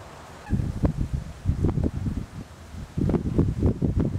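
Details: Several Pygmy cormorants in the flooded forest of Punta Alberete (Ravenna), in the rain, give deep, guttural grunting croaks in two rough bursts of rapid pulses, each about two seconds, with a quiet background.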